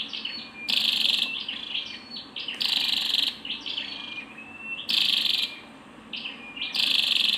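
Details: A female scarlet-backed flowerpecker alternates loud buzzy high-pitched rasps with soft twittering chips, the rasps recurring about every two seconds.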